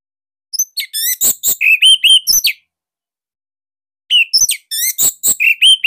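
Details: Bali Orange-headed thrush delivering a loud master song to encourage young birds to sing: two dense phrases of quick, clipped whistles and short slurred notes, separated by a pause of about one and a half seconds.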